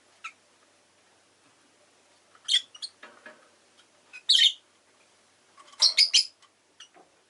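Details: Rosy-faced lovebirds kept as pets, one of them orange, heard with faint town noise: scattered harsh, shrill chirps, coming singly and then in a tight burst of three or four near the end, with quieter clicks between.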